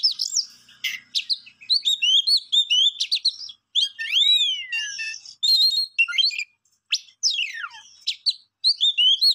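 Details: Varied songbird song: quick chirps and clicks, then long looping whistled notes that rise and fall, followed by steep descending sweeps and more chattering phrases.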